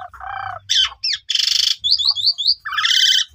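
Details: Asian pied starling song used to provoke starlings that have stopped singing, with nasal harsh squawks, a loud buzzy rasp, a quick series of squeaky rising whistles and a final grating squawk.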